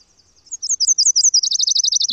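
Nashville Warbler song: a run of high, sweet two-note whistles that speeds into a rapid, even trill at the end.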